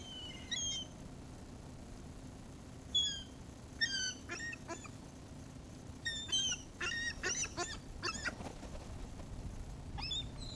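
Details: Seagulls at a feeding, captured with a 360 camera: repeated sharp, rising and falling yelps from several birds, sparse at first, then a busier run of overlapping shrill cries, over low background rumble.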